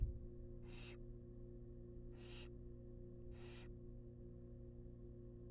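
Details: Nest-box barn owl nestlings, wild birds being fed a rabbit, produce three evenly spaced hissing screeches about one and a half seconds apart, each a brief rough burst above a low hum.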